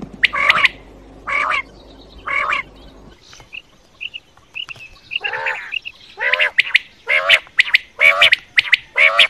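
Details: Quail calls used as a night hunting lure: harsh, buzzy, harmonic-rich notes repeated roughly once a second, with an earlier burst of three calls, soft high paired pips, then a steady run of loud calls.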